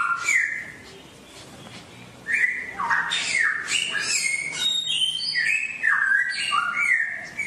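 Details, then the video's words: Songbird song, played daily for caged birds to learn wild, forest-style singing: a lively run of clear whistled notes, some sliding down and others rising, many separate phrases after a brief quieter pause, no other sounds. "MUỐN CHIM HÓT HAY| MỖI NGÀY 10 PHÚT | TỰ NHIÊN CHIM HÓT GIÀ RỪNG"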